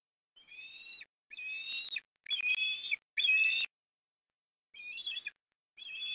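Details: Afternoon at an osprey nest in Port Lincoln, Australia, 18 October 2021, as food is delivered. Several high whistled calls with overtones repeat, growing louder in the middle. A pause follows, then the calls resume.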